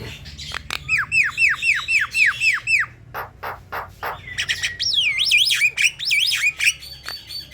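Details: Black-winged myna song, used as a lure to make a caged myna sing: about nine arched, down-slurred whistles in quick succession, then harsh clicking notes and looping, rising whistled phrases.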